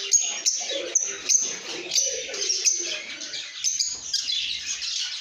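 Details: Lovebirds making happy sounds: shrill high chatter punctuated by sharp chirps roughly every half second, with lower soft squeaky notes underneath.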